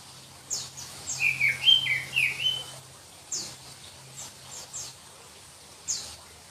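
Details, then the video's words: Oriental magpie-robin of the black-breasted form from Berau, East Kalimantan, known for a shrill, densely packed song. A burst of sharp whistles and chattering notes spans about two seconds, with scattered clicks and a low steady hum. "Kicau Kacer Kalimantan"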